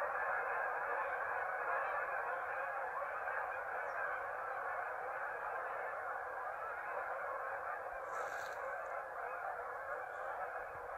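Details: Many geese honk at once as they lift off the marsh for an afternoon feed following a midday siesta, a loud unbroken wall of calls that carries on without pause.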